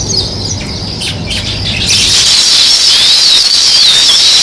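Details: A crowd of sparrows chirps in a steady, high-pitched chatter, rising to a louder, thicker chorus partway through, with quick slurred notes dipping and rising above it.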